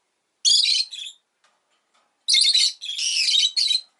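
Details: A rosy-faced lovebird gives loud, harsh, buzzy chirps: a short burst, a pause, then a longer rasping run of squawky chirps that ends abruptly.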